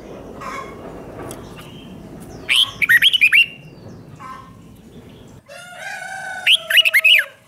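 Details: Red-whiskered bulbul song played to caged birds: two quick phrases of tumbling whistled notes, the second over a steady buzzy tone, with scattered softer chirps early on.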